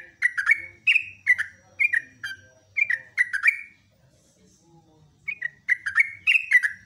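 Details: Yellow-vented bulbul giving its busy morning song as a master recording: bubbly whistled notes dropping in pitch, repeated in quick runs, a pause of about one and a half seconds, then resumed.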